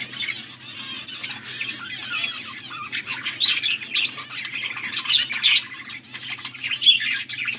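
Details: Budgies kept as pets, recorded August 14, 2024, chatter in a continuous flock warble: rapid scratchy chirps, trills and squeaky notes overlapping, with louder bursts near the middle and a soft background hum.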